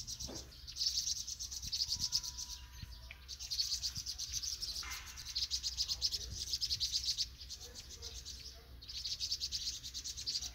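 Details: Young vinous-throated parrotbills, fledglings just leaving the nest, recorded in Banghak-dong, Dobong-gu, give a dense, high, thin twittering in bursts of about a second or two, pausing briefly between them.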